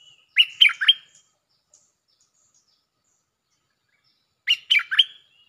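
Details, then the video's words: Streak-eared Bulbul singing a doubled Jao Bank lure song: a crisp run of three bright chirps falling in pitch, a pause of over three seconds, then the same three-note phrase repeated almost exactly. "เสียงนกดอกแตงEp.153 ฟังกันยาวๆเพลงจ้าวแบงค์ มีเบิ้ล เพลงเพราะน่าฟังSuara pikat merbah lekir gacor"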